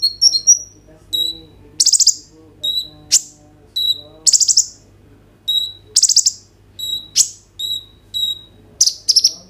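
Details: High, piercing song of a kolibri ninja sunbird, phone-recorded on an Oppo A37f as a prompt to set other kolibri ninja singing: fast buzzy trills alternate with clear thin whistled notes, repeated every second or so.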